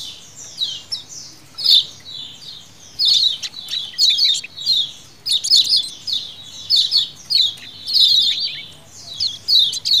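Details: Lemon-bellied white-eye colony chatter in a lure recording: bursts of sharp, high, downslurred chirps come in clusters about every second or two, separated by brief quieter gaps, with a soft low hum behind.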